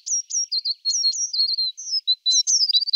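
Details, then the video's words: Great tit uttering a varied run of high, clear whistled notes, some slurred downward and some flat, clustered in quick pairs, ending with a fast trill-like sequence. "great tit koolmees"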